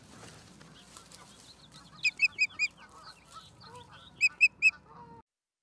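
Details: Charlo, Montana osprey nest cam, 11 September 2023, 16:04: a burst of four piercing chirps and later three more, with softer lower calls between, ending in sudden silence.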